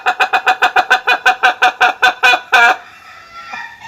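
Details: Laughing rooster crow of the Ayam Ketawa: a long sequence of evenly spaced loud chopped notes, some five per second, ending in a sustained note before fading into quiet background.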